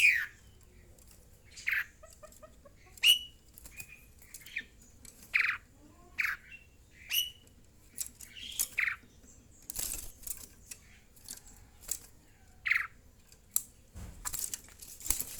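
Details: Asian pied starling, hungry and screaming when its cricket feed comes late, giving short harsh squawks spaced a second or two apart, with rustling and wing flutters between calls and a noisy burst near the end.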